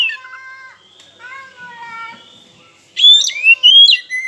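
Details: Oriental magpie-robin lure song to rouse silent rival birds: soft steady tones at first, then a loud burst of sweeping, rising whistles near the end.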